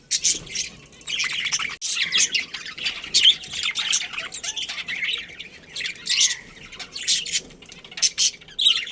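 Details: Budgerigars in a breeding colony, a pair among them, chattering continuously: dense, scratchy chirps and squawks overlapping from several birds, bursts every fraction of a second with brief pauses, no other clear sounds.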